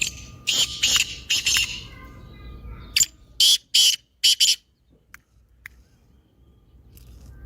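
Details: Black francolin calling, offered to get silent francolins calling: two harsh, grating phrases of rapid rasping notes, a short pause with faint tones between them, then low background rumble and a few soft ticks.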